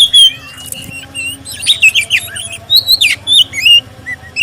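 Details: Black-breasted oriental magpie-robin used as a lure song to prompt other magpie-robins to sing; clear varied whistled phrases and harsh notes around mid-high pitch, with steady low hum beneath.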